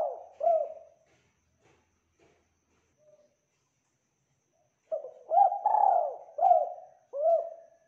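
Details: Vocal spotted dove in a clear recording: two coos finish a phrase, then quiet with a few faint ticks, followed by a full phrase of lead-in note, rising coo, long swelling coo and two short closing coos.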